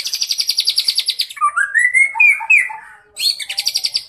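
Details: Young caged white-rumped shama in a stuffed song: fast pulsed rattling trill, then a rising, warbled whistled phrase with bright peaks, a brief gap, and the rapid rattling trill returning.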